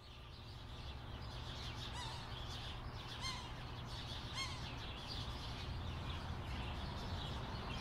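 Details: Two sharp-shinned hawks perched near a balcony at a road intersection, captured on a Zoom H6 recorder: spaced, arched nasal notes roughly every second, partly masked by a steady rumble of passing cars.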